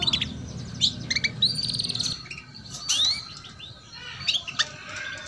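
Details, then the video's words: Female canary cheeping as a prompt for young canaries to sing; high quick chirps and short trills in uneven bursts, including a sweeping rising note, with low background noise fading after two seconds. "PANCINGAN Kenari BETINA Cuit Cuit || Masteran Kenari Paud Agar Cepat Bunyi"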